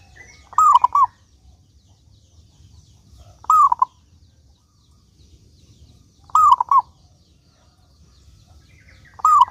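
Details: A local zebra dove sings to prompt other doves to answer. Its short rolling coo of three notes, the opening one arched, repeats about every three seconds, four phrases in all, with distant chirping birds behind.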